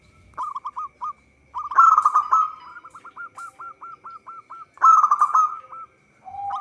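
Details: Local Indonesian zebra dove singing actively, recording intended as a lure for trapping; rapid runs of short hooked cooing notes, interrupted by two louder rolling trilled bursts, with a faint steady tone in the background.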